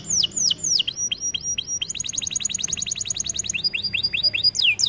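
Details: Canary song for training, varied phrases: swooping down-slurred notes, a short buzzy segment, a fast even trill of repeated sweeps, then sharper hooked syllables and a final long descending whistle.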